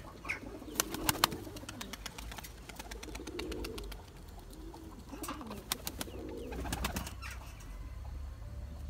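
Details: Tumbler pigeon of the Turkish Taklacı breed courting and chasing its mate to breed: repeated deep bubbling coos, four or five in a row, broken by sharp wing claps and clattering.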